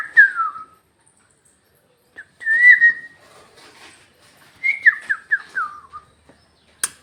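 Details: Talking parrot kept as a pet, speaking Bhojpuri in soft whistled syllables that slide downward, spaced by quiet gaps and ending in a single sharp click.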